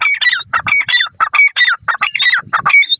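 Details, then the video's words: Golden teetar, a partridge, calling naturally: loud, harsh, ringing squawks in a rapid series of about one and a half notes per second. Each note is bright and harmonic with a falling tail, and the series runs without pause. "golden teetar ke awaaz,partridge birds natural spking"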